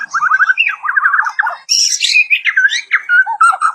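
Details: White-crowned shama singing a varied song meant for tutoring other birds or drawing them into song: rapid, even trilled notes repeated in quick series, then a higher burst of squeaky, tumbling whistles and warbled phrases.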